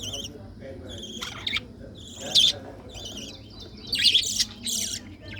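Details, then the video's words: Colorful budgerigars chirping: scattered short, high, wavering twitters and warbled notes in brief bursts, separated by quieter gaps over a soft low background hum. "Colorful budgies sound 🐥🐦🥰|Chirping sound"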